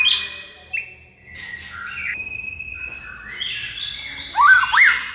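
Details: White-rumped shama training song for silent birds: long steady whistled tones held at different pitches, stepping up and down, ending with two loud quick rising-falling whistles.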